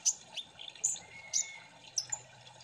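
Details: Sunbird known locally as kolibri ninja, in an 'ombyokan' lure song to prompt quick singing: a few spaced, piercing high chirps and short trills over a soft low background hum.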